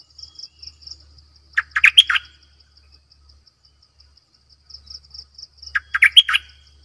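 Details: Decoy Cream-vented Bulbul singing two quick, liquid chattering phrases about four seconds apart; a shrill insect trill and a soft low hum run underneath.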